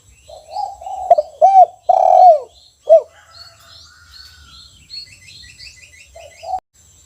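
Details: Kuk 1 style song of a caged spotted dove in full voice. One clear phrase of low hollow coos ending in a short clipped note, followed by a run of thin, rapid chirps from small birds and a final faint coo.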